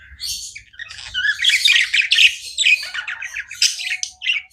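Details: Pet budgies chirp without stopping, a rapid stream of grating warbles and high chirps, about two notes each second, layered from more than one bird.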